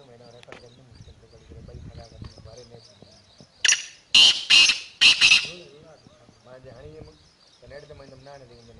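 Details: Black francolin calling from the top of a rock: one loud, harsh, grating phrase of four rasping bursts in quick succession, set between stretches of quieter background voices and faint chatter.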